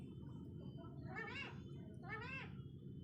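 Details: Parrot talking: two rippled, quavering phrases, each about half a second long, close together over a low background drone.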